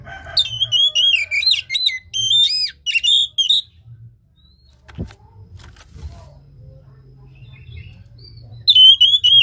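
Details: Oriental magpie-robin (kacer) song played to prompt a reluctant caged bird to sing: rapid, varied whistled phrases with sharp sweeps for over three seconds, a pause with low hum, then singing resumes.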